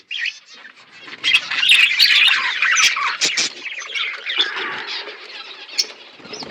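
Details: Flock of pet budgerigars feeding. Chatter swells into a loud, dense babble of scratchy warbles and chirps, then eases to a steadier murmur of calls.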